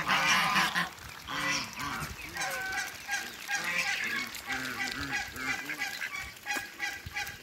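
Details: Muscovy ducks on a farm, recorded together with hybrids, giving a dense chorus of rough, honking calls repeated several times a second with overlapping voices throughout.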